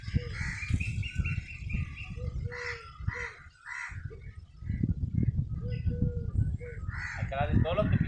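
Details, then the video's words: A crow caws while eating, with a squirrel nearby; harsh, hoarse caws come in short bursts, some in quick pairs, over a steady low rumble of wind or handling noise. "crow bird sound ll crow eating"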